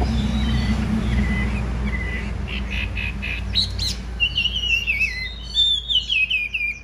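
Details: Chinese hwamei, a big-bodied bird in fighting display with spread feathers, singing: short slurred whistles repeated at first, then a loud run of varied warbled phrases, over a steady low background hum.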